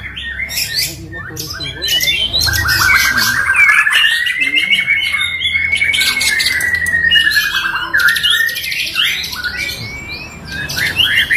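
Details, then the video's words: Singing-contest white-rumped shama delivering a long sustained rising and falling whistled note amid dense chattering and harsh squawky notes, with several other birds audible. "Lomba Burung Online Murai Batu"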